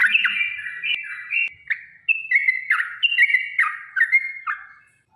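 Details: Yellow-vented bulbul in a long fighting song meant to provoke rivals into singing: liquid whistled notes, several sliding down, in quick bursts, a brief lull near the middle, then fading out at the end.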